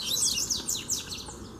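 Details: Free double-collared seedeater challenging a caged bird, giving fast, high, slurred downward-sweeping notes run closely together in a short burst.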